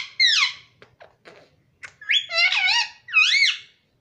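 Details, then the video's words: Pet green parrot indoors giving a high falling squawk, a few soft clicks, then a burst of warbling, word-like harmonic syllables and a final rising-falling call. "Mummy Papa Bolne Wala Tota"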